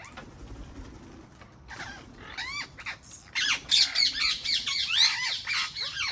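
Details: Wild parrots visiting a garden give harsh, rising and falling squawks, sparse at first, then a loud, rapid, overlapping chatter of many calls in the second half.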